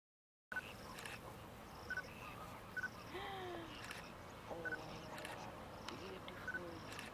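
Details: Greater flamingos, a flock of over 6000 dry-season migrants fishing in the lagoons of Mannar Island, Sri Lanka, chattering: a few low, nasal, bending honks in the middle, over steady background hiss and short repeated high beeps.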